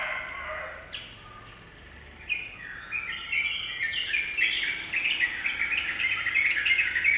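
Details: Yellow-vented bulbul song used to provoke rival birds: a few scattered notes, then from the midpoint a swelling, continuous chatter of bright, jumbled warbled notes that grows louder toward the end.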